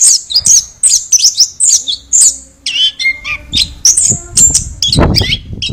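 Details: Chestnut-backed thrush (anis kembang) singing a fast, varied run of high whistles, slurred notes and scratchy chatters in quick bursts, with low thumps underneath and a brief noisy clatter near the end.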